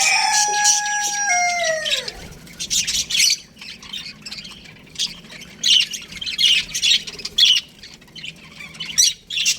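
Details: Aviary of baby budgerigars: a clear whistled tone slides downward at the start, then scratchy chirps and squawks come in short bursts separated by brief quiet gaps.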